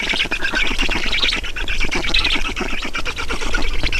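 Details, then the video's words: Black stork nest in Estonia at feeding time, 5 June 2019, 16:28: a continuous stream of hoarse, scratchy squawks in fast pulses, with no pauses, over faint low rumble. "Estonian Black Storks - Feeding"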